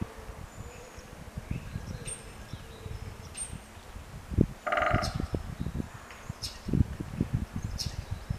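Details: Woodpecker drumming on 27 March 2018 at 11:46, one bird calling to another: a single short, rapid drum roll of tight pulses near mid-clip, set against low rumbling background noise, scattered clicks and faint high chirps.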